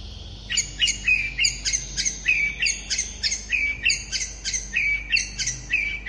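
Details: Long-tailed shrike singing fast, dense phrases to provoke other shrikes to answer: harsh, squawky notes with bright high overtones, repeated about three times a second in an uneven rhythm.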